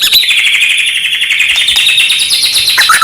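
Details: White-rumped shama song to provoke other shamas: a continuous high buzzy trill slowly falling in pitch for about three seconds, ending in a quick whistled upslur.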